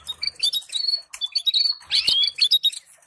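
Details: Canary sings a fast, bright run of chirps, twittering trills and drawn-out high whistles, hardly pausing between phrases; used as stimulating song for breeding canary pairs.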